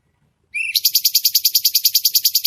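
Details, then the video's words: Red-whiskered bulbul giving sharp, dense 'tembakan' shots in a masteran recording for cage birds: a brief rising whistle, then an even, very fast high trill of pulsed notes, about seven per second. "Masteran Cucak Cungko Istimewa | Tembakan Tajam Rapat Suara Jernih"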